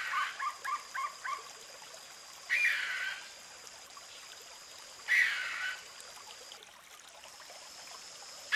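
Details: Sri Lanka frogmouth calling: a quick run of four short clipped notes, then two harsh, rasping bursts about half a second long, spaced roughly two and a half seconds apart, over a faint steady hiss.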